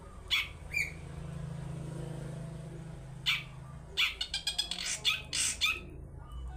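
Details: Long-tailed shrike lure song, toet toet style, meant to get other birds singing. Isolated sharp chirps break a steady low engine-like hum, then a faster run of clipped, buzzy notes follows near the end.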